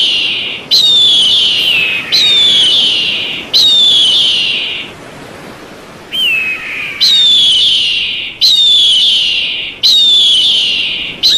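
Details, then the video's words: Eagle calling: loud, high descending screams, each starting sharply and sliding downward, repeated roughly every one and a half seconds, with a short quiet gap midway and a lower sliding note around six seconds. "SUARA MASTER BURUNG ELANG"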